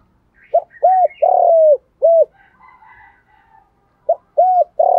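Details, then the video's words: Caged spotted dove decoy bird calling in the urgent thúc style to lure wild doves, switching song patterns continuously; hollow mid-pitched coos in two bursts, short notes then a longer drawn-out coo, with faint higher twittering in the pause. "Tiếng chim cu gáy thúc bảo đảm bổi nghe gáy liền, chim cu gáy mồi đảo bài liên tục"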